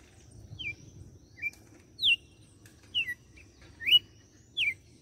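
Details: Açoite song of a red-cowled cardinal from Fortaleza, Ceará: separate crisp whistles, some rising and some falling, roughly every half second to second, clear over a quiet low background.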